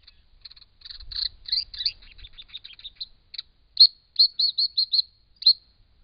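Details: At a pond in regional Victoria, Australia, a wild Brown Treecreeper visiting water gives high, sharp notes: soft scratchy twitters first, then a run of loud, clipped 'spink' calls about every third of a second, with a faint low rumble early on.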